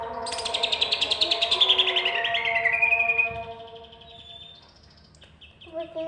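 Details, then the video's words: Greater green leafbird in "roll" and "tembak" song. A fast rolling series of sharp notes slides downward in pitch for about three seconds, then fades into thin drawn-out whistles and a few clipped notes over a low steady tonal hum. "tipe C. hijau "Rooll, Tembak'."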